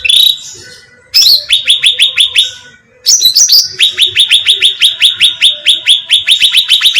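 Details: A sooty-headed bulbul lure call for attracting birds opens with a clear whistle, then long strings of quick rising chirps about seven per second, interrupted by sharp squeaky notes.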